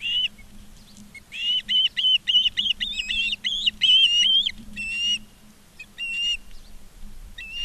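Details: Live-cam recording of ospreys at Charlo, Montana, 19 August 2023, 16:05: a rapid string of about a dozen high, slightly rising whistled chirps, then a few spaced single notes, against quiet low background hum.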